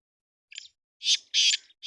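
Black francolin giving harsh, grating calls: a faint short note, then three loud rasping notes spaced about half a second apart.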